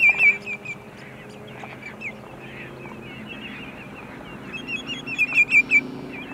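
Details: Sandpipers singing at sunset at Montezuma, New York, on 6 May 2019: bursts of clear, high whistled notes at the start and again near the end, separated by a quieter stretch of low background murmur.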